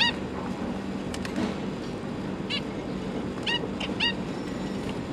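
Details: Zebra finch pair raising six babies, three juveniles and three newborns, fed by both parents; clear nasal, harmonic calls scattered through, with a paired burst near three and a half to four seconds, low hum behind.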